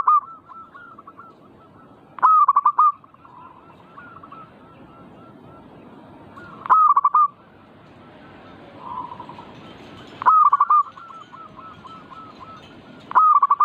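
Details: Zebra dove singing, used as a lure to stir other doves to sing. Loud phrases of quick stuttering coos end in a longer note. They recur about every four seconds, with softer doves answering in the background between them.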